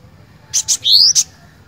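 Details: Loud cinereous tit song phrase of two sharp notes, a drawn-out upward whistle, and one closing chip, clean and close with faint low rumble beneath.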